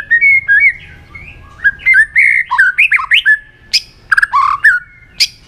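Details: White-rumped shama in a competitive singing bout with many voices. It gives loud, rich, varied whistled phrases with abrupt pitch jumps, slurred notes and sharp high accents, delivered in quick bursts with short pauses between them.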